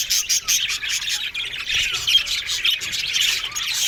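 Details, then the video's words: Aviary colony of budgerigars giving a busy stream of rapid chirps, squeaky warbles and harsh squawks that overlap into a constant high chatter, broken by a few brief pauses and clicks. "Lonely Budgies Sounds"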